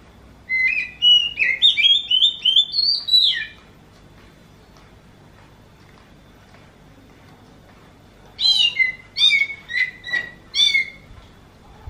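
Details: Oriental magpie-robin whose voice is likened to a kitten meowing: two bursts of clear whistled notes stepping between middle and high pitch, each about three seconds, separated by a long quiet gap.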